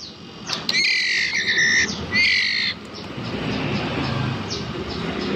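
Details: Young captive White-rumped Shama chick, about 11 days old, held in the left hand and still hand-fed: two harsh, rasping squawks in quick succession, the first longer, followed by steady background hiss.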